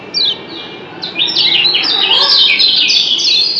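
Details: Kecial kuning, Lombok's yellow white-eye, answering with the 'doble ciak' call: a few separate high descending chirps that build into a rapid, continuous twittering chatter.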